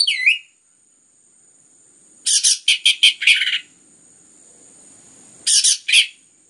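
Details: Anis merah, the orange-headed thrush, in a stimulating song: a curling high whistle, then a rapid string of harsh scratchy bursts, pause, and two more rasping bursts near the end.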